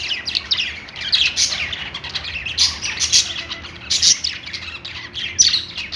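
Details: Cheerful budgie chirping in uneven pulses, about forty chirp clusters a minute, mixing thin whistled notes with rasping chatter.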